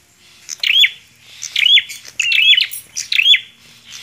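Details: Bar-winged prinia singing energetically: sharp, bright chirped notes with quick down-up sweeps, given in clustered bursts about every second, plus faint higher twitters in a quiet background.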